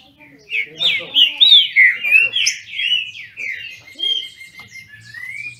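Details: Trinca-ferro, or Brazilian thrush, kept in captivity in Brazil, in a singing duel: loud tumbling whistled notes in quick succession, easing into softer phrases and a final long rising whistle.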